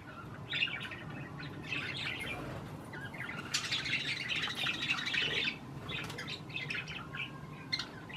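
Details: Parakeets eating cherry tomatoes give scattered chirps, then a louder stretch of continuous warbling chatter midway, over a steady low background hum.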